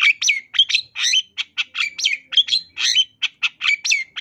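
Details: Lively long-tailed shrike recorded for training caged birds in 2022, 'isian tambakan' style: steady alternation of rasping squawks and looping whistled slurs, roughly three per second, with no background noise.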